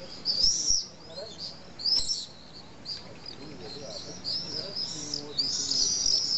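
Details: Common swifts nesting in drain holes of a hillside wall in Nice, France. Sharp, high screaming bursts are heard, with faint low murmurs beneath.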